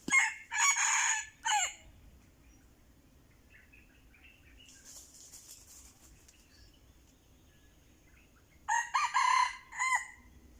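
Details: Decoy red junglefowl, Anulak line, crows twice: a loud, raspy, broken phrase at the start, then near-silence with faint twittering and a brief flutter, before another rough crow closes the recording.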